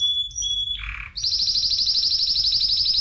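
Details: Spanish timbrado canary singing: a few steady high whistled notes, a short lower buzzy dip, then a fast metallic rolling trill held at one high pitch for about two seconds, loud and close.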